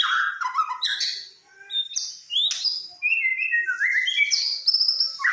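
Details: Fighter white-rumped shama from Samarinda singing a rich, fast song of varied whistled phrases, sliding and buzzy notes in quick succession, with a short pause near the middle.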